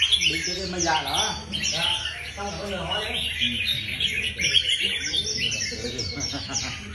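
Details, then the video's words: Several Red-whiskered Bulbuls at a singing-competition practice on a display rack, singing overlapping bright, rapid warbled phrases with sharp chirps, over low background chatter and voices. "Dợt Chim Chào Mào Đấu Hót"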